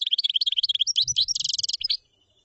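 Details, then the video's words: Common chaffinch mid-song: quick bouncing repeated notes running into a dense buzzy trill, finished by a short sharp note, with faint low rumbling underneath. "تغريد تبلاط"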